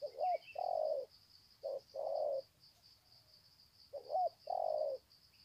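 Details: Spotted doves greeting one another on the ground, Sê San, 21 February 2020. Paired coo phrases, each a hooked short note then a long mellow one, come in three groups against a steady high-pitched insect tone and a small chirp.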